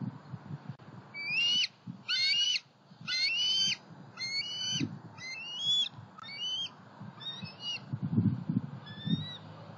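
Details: Young bald eagles flying around their nest, a pond and a snag tree in Southwest Florida, 5 July 2020: about eight high, piercing whistled notes in a row, growing shorter and softer toward the end, over faint low rumble.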